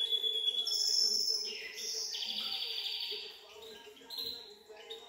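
A goldfinch mule sings a fast, high twittering warble of liquid trills and bright chirps.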